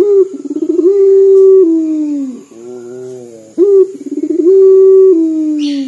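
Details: Dor-style coo of a local Barbary dove that calls often, described as sounding like weeping: long sustained low hoots that slide gently downward, separated by a quieter rumbling phrase and a brief rising pulse.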